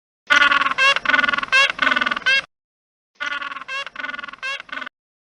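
A penguin gives loud, harsh, braying calls in two long phrases, with buzzy pulsed notes broken by drawn-out honks, much like a donkey's bray.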